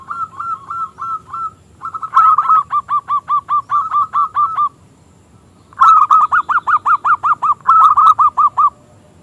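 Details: Local zebra dove song, small crystal-toned voice meant to provoke rival doves into singing: long bursts of rapid, evenly spaced cooing notes, about ten in a row, broken by a short pause and resuming louder.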